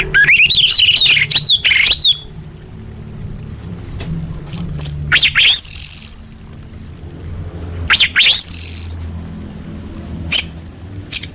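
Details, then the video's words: Orange-headed thrush, full fill-in training song for contest birds: an opening tangle of rapid high twittering, then scattered loud upward-sweeping whistles separated by quiet gaps. "Masteran Anis Merah Full Isian untuk Lomba Besar & Latber Elite"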